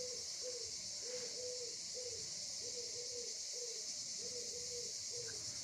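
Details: A European Turtle Dove perched on a high pole gives low, purring coos in short repeated pairs over loud cicadas. Recorded at 7 a.m. on a sunny summer-holiday morning at the port of Carqueiranne, Var, southern France.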